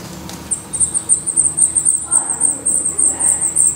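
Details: High, sharp calls from a black redstart nest in Portugal start after half a second and repeat quickly and evenly, with a soft low murmur beneath.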